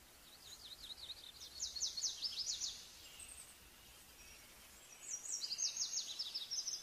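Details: Small niltava giving two bursts of rapid, high, chattering trills, each made of quick up-and-down thin notes, separated by a short pause.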